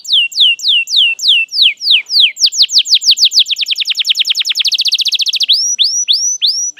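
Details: Canary lure song for young canaries to learn from: loud repeated high downward-sweeping whistles, speeding into a fast rolling trill, then slowing back to separate sweeping notes.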